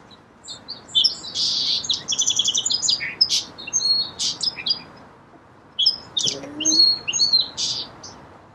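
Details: Two song sparrow songs in a row, each a jumble of sharp high notes, buzzy rattles and quick trills, separated by a short pause.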